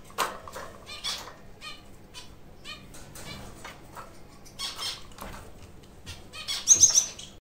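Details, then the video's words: A pair of white English zebra finches, building a nest with sack fibres, give short, nasal, broadband calls repeated several times a second, mixed with rustling and pattering from the nest material. "صدای فنچ"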